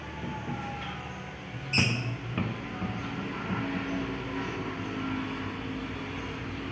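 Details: A steady low engine-like hum, broken by a loud sharp click and a softer knock, with no animal calls.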